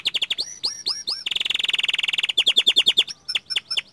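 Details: Young small standard-type canary in vigorous, nonstop song: fast repeated upswept notes, then a long dense buzzy trill, followed by sharp clipped chirps and looping whistled phrases.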